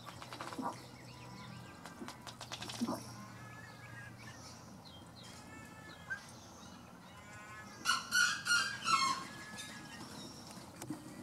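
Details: Courtship display of a ruddy duck, heard late as a rapid series of four loud, ticking pulses speeding up into a short closing note, preceded by other birds' harmonic calls and scattered chatter over constant low background noise.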